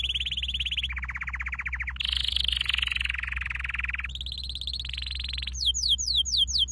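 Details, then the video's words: Canary performing a training song in a chain of trills, each tour at a different pitch, ending with quick downward-sweeping chirps; faint steady hum throughout. "Your canary will NEVER STOP SINGING With this training song"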